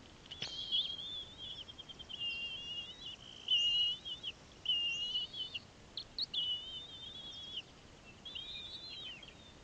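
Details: Bald eagle at a nest on Santa Cruz Island, California, in 2016, during feeding and a fish delivery, picked up by a nest camera: a run of high, thin, wavering whistled notes, several drawn out in a chittering series, with a steady background hiss.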